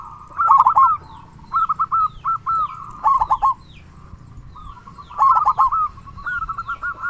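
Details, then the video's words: Gacor local zebra dove with a large 'kung' call, meant to stir other doves to sing: short rapid bursts of stuttering coos, separated by pauses, ending in a run of quick repeated notes, with softer distant coos behind. "Perkutut Lokal Gacor Suara Kung Besar Pancingan Burung Perkutut Agar Bunyi."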